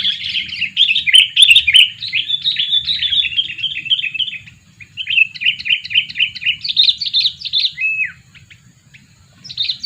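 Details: Lure bird, a sooty-headed bulbul aged two years, chattering in long busy strings of quick warbled notes, pausing once mid-way before a second string and a closing chirp.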